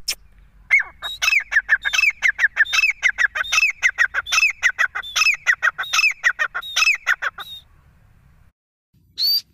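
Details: A loud, rapid run of grating, repeated squawks from a grey francolin (teetar), about seven and a half seconds long, then a pause and one short high note.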